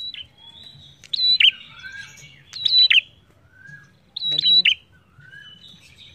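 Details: Prinia (prenjak) singing energetically as a lure for other birds: three loud phrases of level high whistles with plunging end-notes, separated by softer thin whistles, and a low thump near four seconds.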